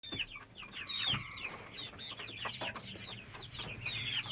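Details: Young hen, 10 to 12 weeks old, making a constant sound since May 22, 2017 while otherwise acting fine; a steady droning tone with overtones sits under dense, high chirps and squeaks from other birds.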